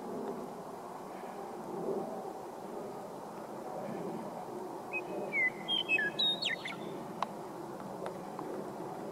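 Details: Western meadowlarks singing near the South Platte River on March 12, 2015, heralding spring; one bright, rapid, flute-like phrase of whistled notes that step and slide downward before ending in a jumbled flourish, over a low rumbling background.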